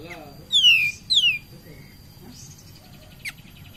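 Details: Cream-vented bulbul singing as a lure to stimulate others of its kind: two bright whistles falling in pitch, followed by soft short notes and a single sharp click.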